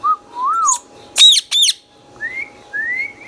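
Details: Pet green Indian ringneck parakeet in a small room gives smooth wavering whistles, two sharp high squawks, then two rising whistled notes, each lasting about half a second.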